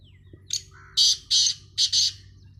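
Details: Black francolin call: harsh, buzzy, rasping bursts in a short rhythmic phrase, one thin note followed by four loud grating syllables in two pairs, over a low background hum.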